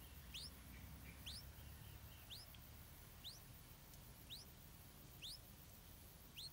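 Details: Stripe-throated bulbul chick calling for food while its mother feeds it insects: high, upward-slurred peeps roughly once a second, softer among a noticeable low rumbling background and a few faint short chirps.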